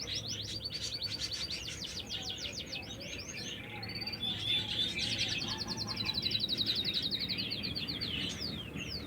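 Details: Canary singing in nature: fast rolling trills of high sweeping notes, then a long even buzzy trill and rapid repeated chips, with a steady low hum underneath.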